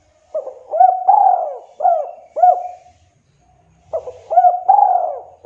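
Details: Spotted dove (tekukur, derkuku), kuk 2 call meant to summon a rival, used as a lure; two phrases of mellow hooting coos, each a quick pair of notes then a long sliding coo, with a pause between and faint low rumble.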